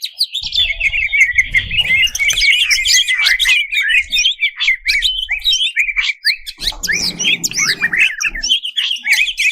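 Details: Rich, continuous warbling from a greater green leafbird meant to excite competition birds: rapid chattering phrases, bright whistles and squeaky slurs, with occasional low knocking sounds underneath.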